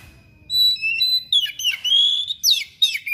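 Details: Thick-billed kacer singing a sharp, insistent song in loud bursts: clear whistled notes, then harsh buzzy slurs and scratchy rising and falling phrases, with low background rumble.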